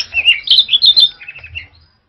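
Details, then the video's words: A male orange-headed thrush delivers a fast, tumbling song phrase of bright whistled notes rising and falling, then trailing off into softer lower warbles before fading out. "Tiếng chim Hoét lửa"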